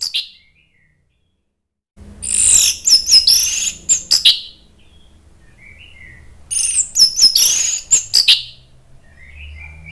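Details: Provocation song of an agitated Orange-headed thrush, meant to set other birds singing: two long, rapid torrents of high, twisting whistles and sharp chattering notes about five seconds apart, with faint soft warbles between.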